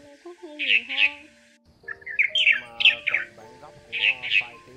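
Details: Red-whiskered bulbuls, male and female, give bright, chirpy flock calls in quick bursts over lower whistled, warbling notes; a recording used to lure the flock for trapping.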